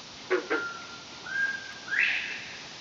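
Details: A penned male northern bobwhite calling in the morning after overnight rain gives two short clipped notes, then a drawn-out whistle sweeping sharply up into a bright final note; frogs, cicadas and roosters also audible.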